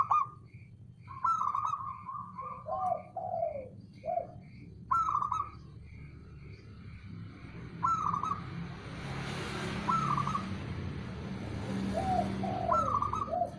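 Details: Male local zebra dove calling to draw a reply from rival birds: repeated rapid runs of soft mid-pitched coos, some phrases dropping lower at the end, while another bird gives steady high chirps and background hum builds.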